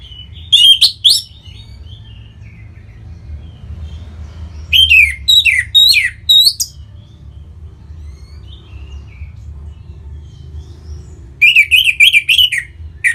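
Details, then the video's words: Orange-headed thrush song, Bali, Indonesia, played to stimulate other birds: three bursts of rapid sharp, sweeping chirps several seconds apart, the last a fast run of repeated similar notes, with faint whistles and low hum between. "Punglor Merah Lagi Berkicau.. Untuk Pancingan Bunyi"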